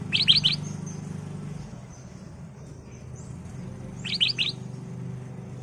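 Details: Energetic ruby-throated bulbul lure song for training caged birds: two brief clusters of three quick, high chirps several seconds apart over a steady low hum.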